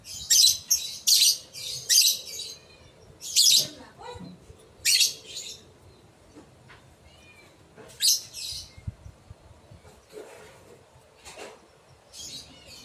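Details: Lovebird calls used to lure other lovebirds into answering: clusters of harsh, high shrill chirps in quick bursts, most in the first five seconds, then scattered fainter chirps with pauses.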